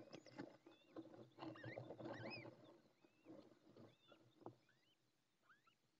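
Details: A newly hatched, still-wet little owl chick, the first of the clutch, hatched minutes earlier at 06:04 on 20 May 2024 in La Moraña, Ávila, Spain. It peeps nonstop while the female is off the nest, until she returns. The thin, high peeps rise and fall several times a second over heavy rustling and thumps.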